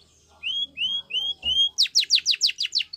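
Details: Spanish Timbrado canary singing for training: four slow rising whistled slurs, then a fast string of bright downward-sweeping notes.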